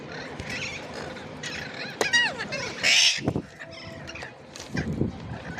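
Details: Ringneck parrot calls: wavering squeaky notes sliding up and down, then a loud harsh screech near the middle and a few softer chatters after it.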